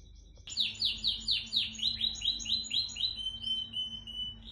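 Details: Home-bred white dominant Syrian canary of the 'bandouq long' line singing; a quick series of about a dozen clear downward-sweeping whistled notes, then a steady high trill, over a low constant hum.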